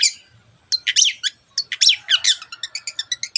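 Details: Long-tailed shrike singing energetically in the 'teot teot' style, used to provoke other birds into excitement and song: a faint start, then harsh scratchy chattering bursts, ending in a quick run of short, evenly spaced high notes.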